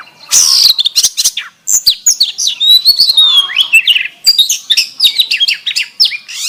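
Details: Canary-filled song of the kacer (oriental magpie-robin), used for song training: rapid high chatter and trills, a sweet wavering whistle in the middle, then more dense twittering bursts.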